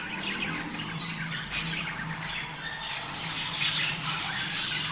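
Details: Budgerigars chattering together, played to spur mating: dense high twittering and squawking throughout, a sudden sharp click near the start, and a low droning hum in the background.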